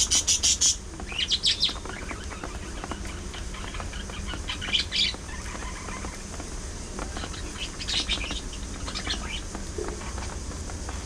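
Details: Budgerigars kept as pets, seen singing, talking, squabbling and grooming each other, open with a quick rattle of high chirps, then give scattered warbled twitters and squeaks separated by quieter stretches with a steady low hum.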